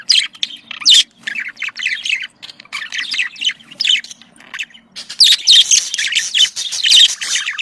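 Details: Pet budgerigar flock chattering as a breeding stimulus: fast high chirps and scratchy warbles in bursts, growing denser and louder in the last few seconds.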